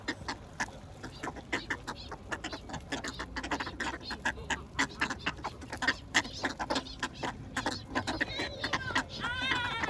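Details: Ducks receiving bread call in a fast, dense series of short, rasping quacks; near the end a few longer, tonal calls rise above the chatter.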